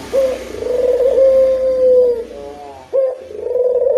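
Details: Lure recording of a local puter dove: long level coos with a short rolling interlude between them, over a faint hissy, humming background.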